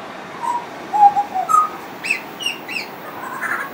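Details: Long-running song of a friendly pied butcherbird, which mixes in mimicry: low fluty whistles followed by higher clipped notes and sharp upper chirps, the phrases coming roughly twice a second.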